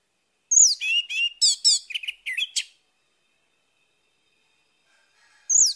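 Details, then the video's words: Orange-headed thrush song in the morning, played to coax a bird that has stopped singing into song again: a rich burst of varied whistled and scratchy phrases, some swooping down from high notes, lasting about two seconds, then silence before another phrase begins. "PANCINGAN ANIS MERAH PAGI HARI MENGATASI ANIS MERAH MACET"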